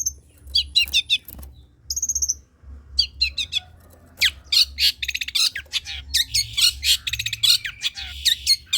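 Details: Long-tailed shrike song, played to get idle shrikes to sing: varied high chirps, rapid buzzy trills and sharp squeaky notes in quick bursts, with brief pauses and a faint low hum beneath.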